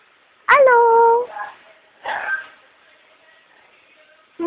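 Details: Amazon parrot kept as a pet mimicking a spoken hello: one strong, steady, voice-like harmonic phrase lasting under a second, then softer scratchy fragments and a short rough syllable, with quiet room background.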